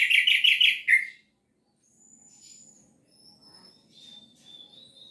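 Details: One loud burst of quickly repeated chattering notes from an orange-headed thrush singing gacor teler, followed by thin high whistles and faint low background sounds.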